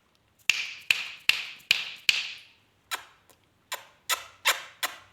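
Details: Sharp wooden taps, about ten in total, ring out and fade quickly with no animal voice heard.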